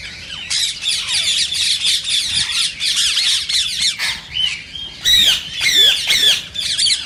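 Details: Rose-ringed parakeet sounds meant to encourage singing and mating in other parakeets: dense, shrill, grating squawks repeated almost continuously, a few louder downward-sweeping screeches near the end.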